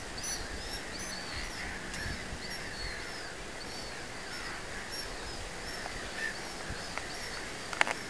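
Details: Young Black-headed gulls, hatched at Säbysjön, Järvafältet, Sweden, on 5 July 2008, give harsh, arching calls over and over, many birds overlapping against a low outdoor rumble.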